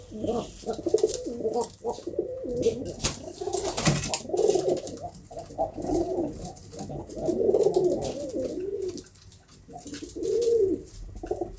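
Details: Domestic pigeons kept by a fancier, overlapping low warbling coos from more than one bird, nearly continuous, with a sharp clatter partway through and scattered clicks.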